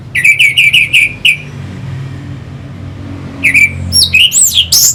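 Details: Orange-headed thrush recorded in Singaraja, North Bali, as a lure song to rouse fighter birds: a fast string of about six sharp, evenly spaced notes, a pause, then more chips and looping rising whistles.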